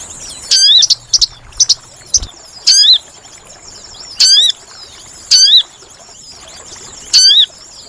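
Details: Sooty-headed bulbul call played as a trapping lure: a few short clipped notes, then clear swooping whistles with a downward hook, each repeated about once a second.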